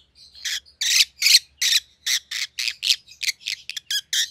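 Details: White-headed opaline rosy-faced lovebirds kept as pets call in a rapid, fairly even series of harsh squawky chirps, about two or three a second, continuing throughout.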